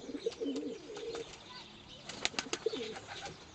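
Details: Paired pigeons at a rescue centre, one pure white, feeding each other in courtship before mating; soft low coos repeated in quick succession, with sharp clicks and a few brief high chirps.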